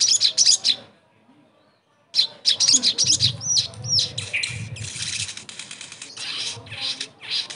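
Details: A sogon in a therapy recording meant to make a bird stop being silent: high, fast chattering phrases, a pause, then a long dense stretch of scratchy notes mixed with upslurred whistles over a low background rumble.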